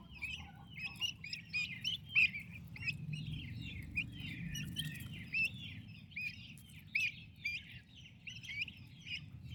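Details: A group of healthy turkey chicks near their mother chatters without pause, overlapping high peeps rising and dropping, with occasional louder notes above a low rumbling background.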